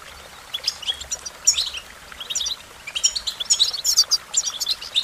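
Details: American goldfinch song: a slow start, then increasingly busy high-pitched twittering that grows denser toward the end.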